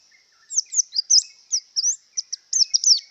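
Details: White-eye in breeding condition singing a fast series of high, sharp chirps that sweep up and down, about a dozen notes in quick, uneven succession after a brief pause.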